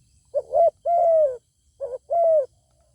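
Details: Zebra dove answering a wild bird with a good voice that declines to fight. Two phrases, each a quick burbled note followed by a long, level, slightly falling coo, are clear against a quiet background.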